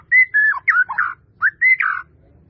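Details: White-rumped shama, a masteran recording with full varied song: clear whistled phrases, some level and some sliding down, in two bursts with a short pause between, over faint low hum.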